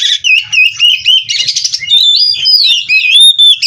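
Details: Oriental magpie-robin, called kacer, from a breeding farm, singing continuously in 'gacor full isian' fashion with quick, bending whistles, a short buzzy chatter, then clear rising and falling sweet notes.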